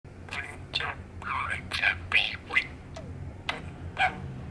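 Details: Male budgerigar, eight years old, perched on top of its cage indoors on a pleasant sunny autumn day, muttering softly: quiet, irregular chattering bursts of scratchy, buzzy syllables with a few brief whistled notes, separated by short pauses, over low room hum.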